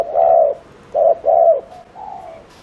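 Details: Brief burst of a spotted dove's fast lure cooing for attracting wild doves: a long mellow coo, two quicker notes, then a fading softer tail note.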